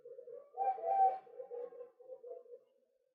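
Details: Male white-breasted waterhen, recorded for luring birds: a rough, croaking burst of low notes swelling in the middle, with softer pulsed notes before and after, fading out near the end.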